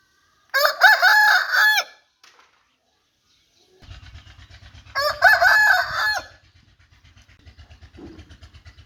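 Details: An Aseel rooster gives two loud, harsh crows, each stretched over about a second, with a low rhythmic engine-like thrum underneath between them.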